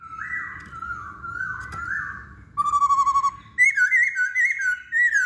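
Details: Song of a masked laughingthrush, played to prompt other birds to sing: wavering warbled whistles, then a level whistle followed by a quick run of repeated bright looping notes.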